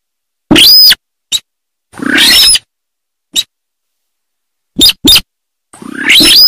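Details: Harsh, buzzy rasps from a sintar bird, some rising in pitch, alternating with isolated short clicks and long quiet pauses.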